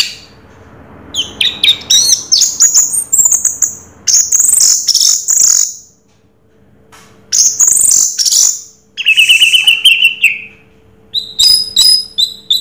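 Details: Orange-headed thrush (anis merah, 'raja teler') singing a long varied song: rising series of high whistles, sweet warbled phrases, a short trill and rapid repeated chips, in phrases broken by brief silences.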